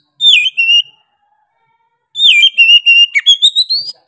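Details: Oriental magpie-robin, singing keenly in 'gacor' style, gives a short whistled opening, a long silent pause, then a dense phrase of rapid notes that ends in a steep rising whistle.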